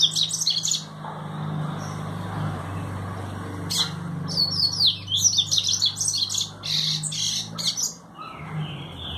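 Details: A double-collared seedeater delivers its trovão song, a string of high, quick, slurred and chattering notes broken by short pauses, over a steady low mechanical hum.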